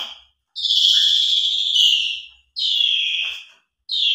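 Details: Lure song of a vigorously singing Asian pied starling, jalak suren, with a rich fill-in repertoire: one long, loud, rasping whistle lasting nearly two seconds, then shorter descending harsh notes after brief pauses.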